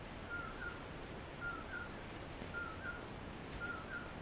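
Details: A male Common Poorwill calls at night in June 2022 on a juniper, bitterbrush and sagebrush ridge in west-central Utah. It repeats a soft, whistled two-note "poor-will" about once a second over steady night hiss and a thin, high insect-like whine.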